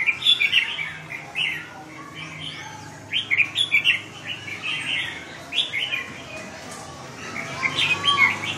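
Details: Red-whiskered bulbul that has lost its tail, still battling, with scattered clusters of quick warbled chirps and sharp squeaks against constant background noise.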